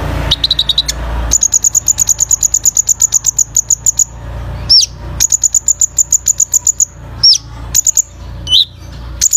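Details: Hummingbird-type song used for training birds: long runs of rapid, evenly repeated high, thin ticking notes, broken by sharp squeaky slurred notes and short pauses, over a low background hum.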